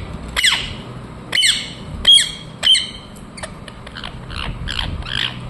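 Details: Indian ringneck parakeet uttering shrill rasping squawks, four strong calls about a second apart followed by a quicker series of fainter chattering notes, against a low steady hum.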